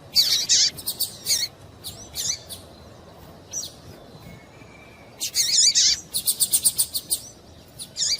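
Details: Female double-collared seedeater chirping to warm up a male for song: loud, high chirps with wavering sweeps, clustered in bursts, a quiet gap, then a rapid string of repeated sharp notes.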